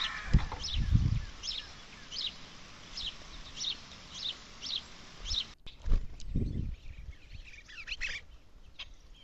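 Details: A Red-winged Blackbird calls in the background at a backyard bird feeder in the rain, giving a string of short, sharp chips about twice a second over low thumps and soft rain noise.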